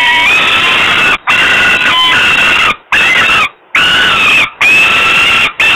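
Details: Female falcon chick crying from hunger in Włocławek, Poland, evening of 27 May 2022, father bringing food; piercing sustained wails with slight upward inflections, each lasting about a second, with short breaks between them.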